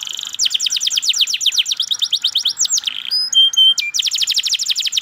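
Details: Canary song: fast rolling trill of downslurred whistles, then pure steady high whistled tones, followed by another rapid trill.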